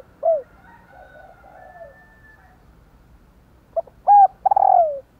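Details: Female spotted dove calling to stimulate males to coo: a single downslurred note, then a pause with distant rooster crowing, then a full phrase of clipped notes ending in a long tremulous descending coo.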